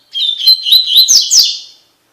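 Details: Training song for captive double-collared seedeaters, the Tui Tui Fibra style: quick, sweet whistled notes wavering at one pitch, then two louder rising, slurred notes and a thinning buzzy ending, under two seconds.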